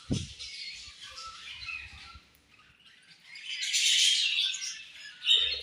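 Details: Several budgerigars at their morning feed give a steady warbling chatter, swelling into a louder burst of scratchy chirps near the end, with a thump at the start.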